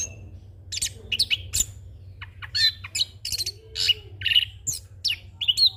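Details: Young orange-headed thrush singing a rolling song full of varied fill-in phrases, used to train other birds and as a lure; bright chirps, buzzy notes and quick whistled flourishes follow in an uneven stream over a low steady hum.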